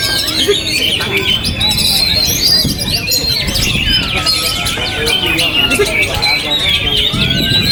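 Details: Kept Oriental magpie-robin singing through strong wind. Long, clear down-slurred whistles alternate with fast chattering trills, set against a constant low wind rumble.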